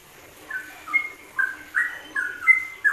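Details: Yellow-vented bulbul, ropelan-style song from a WK masteran combination: a string of loud, liquid whistled notes, some level, some dipping, spaced roughly every half second over light background hiss.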